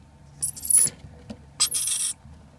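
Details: One of two hand-raised lorikeets gives two harsh, rasping screeches about a second apart, each lasting half a second and very high-pitched, in a quiet room.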